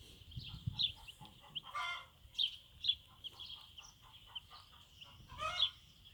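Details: Bantam mother and chicks out of doors for the first time on a backyard farm: a steady thread of high, thin peeping with short bursts of louder cheeps and a few low clucking pulses.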